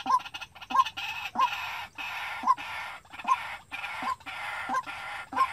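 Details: White-breasted waterhen used as a trapping lure, calling by itself: a series of short notes about every 0.7 seconds, partly masked by steady broadband hiss and noise.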